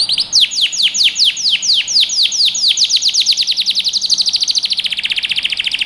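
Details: Yellow canary singing a song meant to train young birds: fast rolling trills of downward-sweeping notes, repeated steadily, later quickening into a rapid high rattle, with no other sounds.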